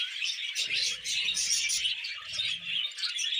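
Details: Pet budgerigars chattering while eating vegetables, a dense continuous warble of high twittering notes with soft lower murmurs in the middle of the recording.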